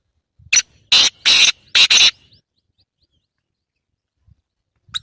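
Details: Kala teetar call, the black francolin: a sharp note leading into harsh grating rasps and a fast double, delivered over about two seconds, then quiet with faint low rustling.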